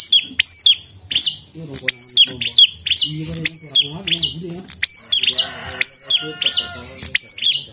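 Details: Prinia in persistent, energetic song, a string of sharp, high downslurred chirps in quick succession, with low murmuring sounds in the background.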